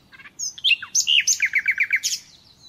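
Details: Song of a common nightingale used to teach captive birds: varied high whistles and a dropping slur, then a run of about eight rapid descending chips, ending in a short bright flourish.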